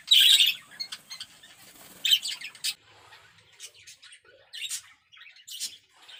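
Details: Zebra finches in a small aviary, already carrying nesting material: short, bright, nasal call notes in scattered bursts, loudest at the start and around two seconds, with softer chirps between.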